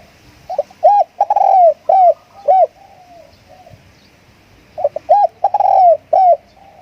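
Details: Spotted dove used as a lure bird, delivering hoarse, arched coo phrases in two clusters about four seconds apart, with softer, lower-level dove notes between.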